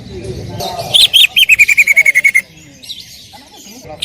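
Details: Greater green leafbird in loud song: a couple of twisting whistled notes lead into a rapid run of about a dozen evenly spaced chips gently descending, followed by quiet.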